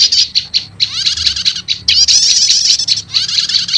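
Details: Prenjak lumut, olive-backed tailorbird, combined with prenjak setater calls as a lure for trapping wild birds; high buzzy trills and rapid sharp chips in dense repeated bursts, with short downward-sweeping notes.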